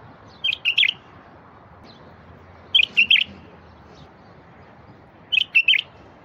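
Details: Bulbul song for prompting silent wild bulbuls to sing: three phrases of three to four throaty, liquid warbled notes, spaced about two and a half seconds apart over light background noise.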